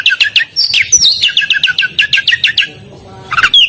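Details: Oriental magpie-robin singing actively in full voice: a rapid run of repeated sharp chirps, whistled slurs and rising and falling notes, with a brief pause near the end before more bright notes.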